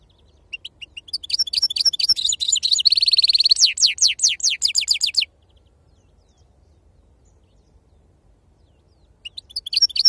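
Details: Goldfinch giving the authentic wild-type 'khalwi serfati' song: a fast run of high, liquid twitters and a buzzy rattle, then several seconds of quiet before the twittering starts again.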